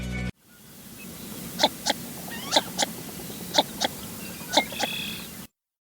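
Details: Northern Shoveler, a duck seen in Sri Lanka in winter, gives short, hollow double 'tuk-tuk' notes, repeated about once a second over a low background hum.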